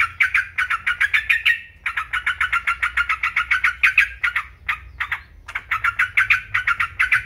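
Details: Busy yellow-vented bulbul chatter: strings of quick, clipped notes separated by several brief silences. Intended as a tutor and stimulating trigger for caged birds.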